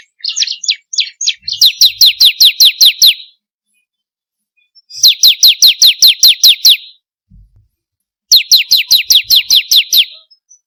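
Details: Bar-winged prinia song played as a lure to get caged birds singing: short chirps, then three bursts of rapid, evenly repeated downslurred high whistled notes, about five per second, separated by brief silences.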